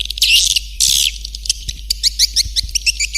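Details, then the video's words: Calling sound meant to attract swiftlets: two broad, scratchy high bursts, then a quick series of short sharp ticking chirps repeated several times a second. "Suara Panggil Burung Walet"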